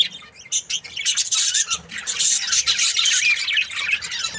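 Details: Breeding pair of Australian budgerigars, described as happy, giving dense, continuous warbling chatter of high scratchy chirps and squeaks, with short rapid notes overlapping and no pauses.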